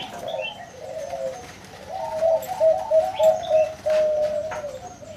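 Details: Zebra dove with a big voice, its cooing overlapped by other doves: a quick series of short notes, then a longer sustained trill, with faint chirps higher up.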